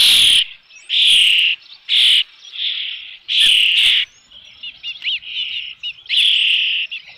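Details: Osprey at the nest with a fish, Dunrovin Ranch, 3 June 2018, near 5 pm: a series of loud, shrill whistled cries, then quick softer chirps and slurred notes, then one more loud cry.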